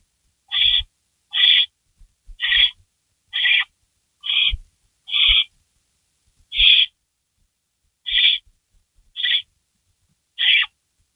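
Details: Barn owl at a nest at 3:53 AM on May 16, 2012, around a rabbit delivery. One owl gets the prey, shreds it and swallows it. Harsh, rasping hissed screeches, each under half a second, repeat irregularly every second or so, with faint knocks.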